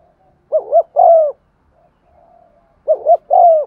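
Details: Lure spotted dove in 'giọng son' style, cooing to draw other doves; two phrases of a quick paired note and a longer downward-sliding coo, with soft distant coos in the gaps.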